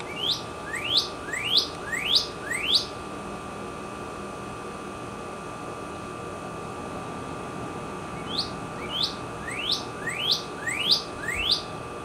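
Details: Red bird singing in spring outside a kitchen window, back after winter and close to the house, recorded with a camera: a bout of five clear upslurred whistles about half a second apart, a pause, then six more rising whistles.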